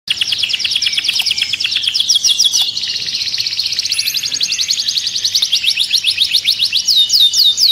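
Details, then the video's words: Canary singing to stimulate other birds for mating: a loud, fast trilled song of rapid repeated notes, high and rolling, shifting into buzzy sweeping phrases near the end, with no other clear sounds. "تغريد الكناري لتنشيط الطيور Canto canario para activar pájaros"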